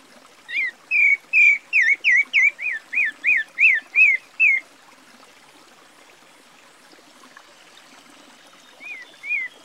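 A Pale-breasted Thrush sings a quick run of about a dozen clear, slurred whistles over four seconds, then adds two softer notes after a pause, over a faint hiss.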